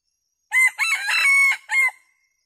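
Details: Red junglefowl decoy rooster crowing to call wild junglefowl, which come to feed in a flock; one loud harsh crow in four broken parts, the long middle section held steady, then a short final note, otherwise quiet.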